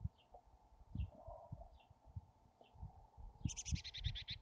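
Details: Chickadees at a wild nest cavity near Emigrant, Montana, in July: a rapid series of about eight high buzzy notes near the end, after faint short high notes, over low thumping and rustling inside the nest.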